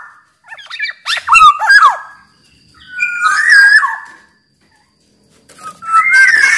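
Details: Black-naped oriole song used as a lure and master recording: three separate bursts of mellow fluty whistles with slurred twists, the first bursts mixed with harsher nasal notes. Short silences fall between bursts.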